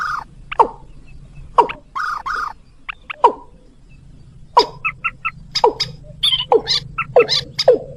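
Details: White-breasted waterhen lure call used for bird trapping, mixed with the sound of the mandar batu. Loud, harsh notes with sharp, sliding strokes are spaced at first, then come quicker in a rapid, insistent series over a low steady hum.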